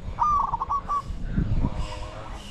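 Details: Spotted dove used to decoy wild doves gives a single burst of stuttering coos at the start. Rumbling, rustling background noise follows.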